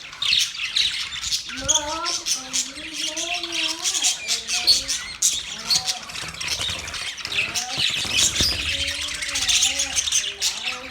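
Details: Budgies chattering steadily, busy high-pitched twittering and squeaky chirps throughout, overlaid at intervals by lower warbling tonal notes that wobble up and down for a second or two.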